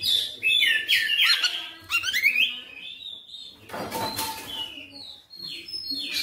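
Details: Oriental magpie-robin in persistent, full-repertoire singing (bongkar materi): rich rising and falling whistles and quick warbles, broken midway by a short burst of broad noise, then thin high whistled notes.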